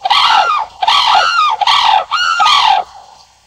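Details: Sarus crane (Grus antigone) calling: four loud, harsh trumpeting notes with a brief dip between each, rich in overtones, each about half a second long, fading to quiet at the end.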